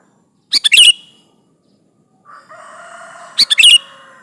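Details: A vigorously singing sooty-headed bulbul summoning rivals, played as bait: a quick clicky phrase with a downslurred whistle, a pause, then a matching phrase over a steady low hum.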